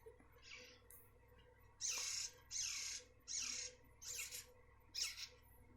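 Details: Captive-bred Grey-cheeked bulbul young from South Jakarta, already perching on the second day after being taken from the nest, giving a run of six hissing, broadband rasps spaced under a second apart against a faint steady hum.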